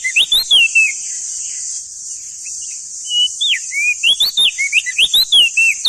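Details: Male crested white-eye, endemic to East Nusa Tenggara, singing loud, clear phrases: quick whistled notes sliding up and down, a burst at the start, then a rapid run of choppy notes after a pause, over a steady high-pitched hiss.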